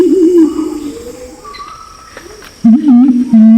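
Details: Lure calls of male and female Pinon's imperial pigeon, Nabire, Papua, Indonesia: a low undulating moan fades into a quiet gap, then a loud, steady, deep hoot returns near the end, with a few faint higher notes.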